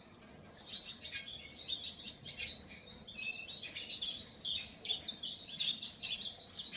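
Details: Painted bunting singing bright, rapid warbled phrases of high chirps, each burst about a second long and repeated with brief gaps, over a quiet background.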